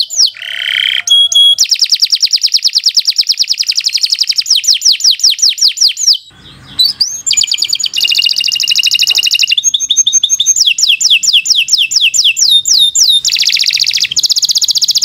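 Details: Canary singing a long, lively song, used as a training song for young birds: fast trills, chains of downward-sweeping whistled notes repeated several times a second, buzzy rolls and high sustained tones, with a brief pause midway.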